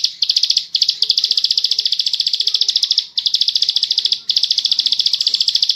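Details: Bar-winged prinia in full 'ngebren' song, long and rapid. Dense, high-pitched chattering trills roll on for seconds at a time, with pulses at roughly three to four per second, pausing only briefly twice.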